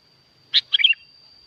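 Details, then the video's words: Sooty-headed bulbul recorded at Curug Agung, Subang, West Java, Indonesia, as a lure to get quiet bulbuls singing: one clear note, then a rapid bubbly three-note flourish dropping in pitch. A faint steady high electronic whine runs throughout. "Kicau asli kutilang ribut gacor pancingan buat kutilang macet bunyi"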